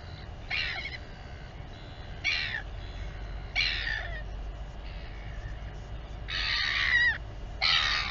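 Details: Royal albatross mother feeding her chick at the Taiaroa Head colony near Dunedin, New Zealand: separate rasping, harmonic bursts of half a second to a second, spaced irregularly, with a longer wavering cry near the end and a low background rumble.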